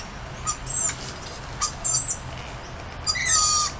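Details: Lorikeets welcoming their owner outdoors with a string of high, grating squeals that come every half second or so and build into a loud, harsh screeching burst at the end.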